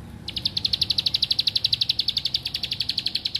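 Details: Continuous bar-winged prinia song: a long, unbroken train of sharp, high, evenly repeated notes, about eight each second, growing slightly louder midway over faint low background rumble.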